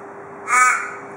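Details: One harsh, nasal caw lasting about a third of a second from an Australian raven that visits a porch daily in Perth, Australia, a note of the "cock a doodle doo" call heard from ravens there, over a quiet steady hum.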